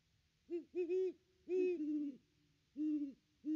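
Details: A pair of great horned owls visiting the nest tree, recorded by a nest cam on 25 December 2021: low, mellow hoots in clustered groups, a quick double, a longer stuttering phrase, then spaced single hoots.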